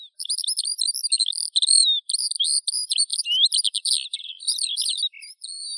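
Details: Eurasian skylark delivering a long, breathless high warble of jumbled chirps, trills and whistled slurs, with only a couple of brief gaps.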